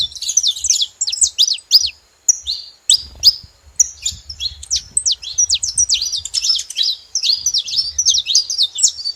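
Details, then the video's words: Saffron finch calling at a feeding site with bursts of fast, high, sharp chirps, a brief near-silent gap, then a long excited run of slurred notes over faint low rustling. "Canário da terra fazendo barulho na seva"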